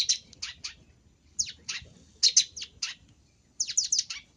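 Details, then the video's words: Long-tailed shrike luring sound: clusters of two to four quick, scratchy, downslurred notes in short bursts with brief pauses between groups. "Suara untuk pikat Pentet"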